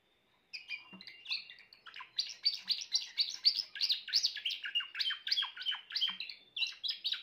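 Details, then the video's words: Timbrado canary, grey plumage, in steady song, delivering quick chirped and trilled syllables at about four per second, varied in pitch and unbroken for several seconds, against a quiet background. "meilleur chant canari timbrado l chant d'un canari timbrado gris"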